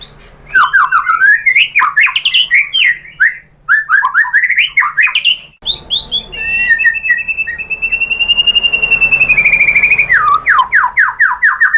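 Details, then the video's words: White-rumped shama song used as a lure to provoke singing: rich varied whistled phrases rising and falling, then a long sustained whistle with a faint high chatter, ending in quick descending notes. "PANCINGAN MURAI ¦ SHAMA BIRD"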